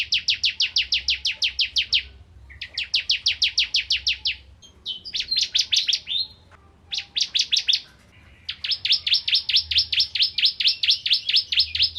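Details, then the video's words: Bar-winged prinia in lively song, recorded as tutor material for shamas: several irregular bursts of rapid, uniform chips, some short and broken, ending in a long unbroken run of repeated notes. "Burung Ciblek Kristal Gacor Untuk Masteran Murai Batu"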